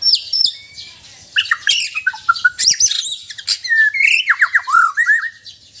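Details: White-rumped shama, Sabah on Borneo, giving mixed relaxed and loud song: high thin notes, a dense burst of harsh chatter, then descending whistled slurs and rising sweeps.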